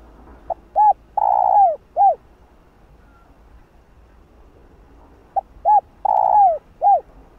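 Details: Spotted dove cooing to stir other doves: two phrases of a faint pip, a hooked note, a long buzzy descending coo and a closing hooked note, about five seconds apart, over low hum.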